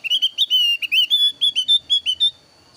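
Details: Varied, very active song of a thin-browed Javan grey-throated white-eye, used as a lure and tutor recording. Rapid chain of clear, high whistled notes, each slurred up or down, about a dozen in under two and a half seconds.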